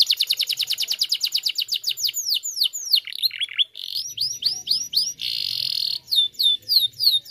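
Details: Canary song for encouraging other canaries to sing: a fast series of high upsweeping chips, longer falling whistles, a dense buzzy trill, then spaced bright slurred notes. A faint low hum runs beneath.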